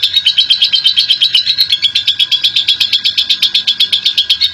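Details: Lovebird of national champion standard producing its long ngekek chatter as a lure: a fast, rhythmic rattle of squeaky, grating notes, steady in pace and loudness, with a thin continuous tone underneath.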